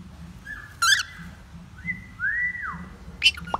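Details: Learning male cockatiel whistles a flat note, gives a harsh overtone-laden chirp, then sings a long level whistle and a swelling note that bends downward, closing with a bright upswept call and a sharp falling slide.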